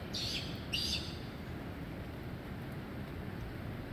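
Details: Osprey hunting fish on a rainy day in Destin, Florida, with ducks nearby, gives two quick, high whistled chirps in the first second, then falls quiet under a steady hiss of rain.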